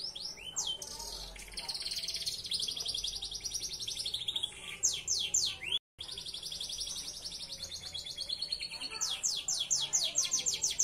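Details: Belgian Bossu canary delivering a unique-style tutor song: long rapid high trills that drift downward, quick downward-swept notes, a brief silent break, then resumed trilling and a burst of sharp sweeps.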